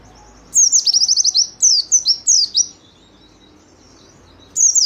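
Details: White-eye singing as a lure for caged birds: sharp descending high notes leading into a fast, stuttering trill, followed by three falling whistled chirps, a silence of over a second, then another brief high phrase.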